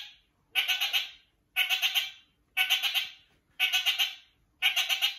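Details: Kakariki, one bird calling to another, giving loud chattering bursts of four or five quick harsh notes, each burst about half a second long and repeated steadily about once per second, in a quiet background.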